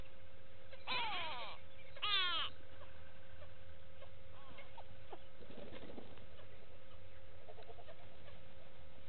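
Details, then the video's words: Go-away-birds recorded by a live camera at Gowrie dam waterhole, Djuma Game Reserve, Sabi Sand, South Africa, 06/06/18: two loud, harsh nasal calls about a second apart, followed by faint distant notes against constant low hum. "Go-away birds with audio"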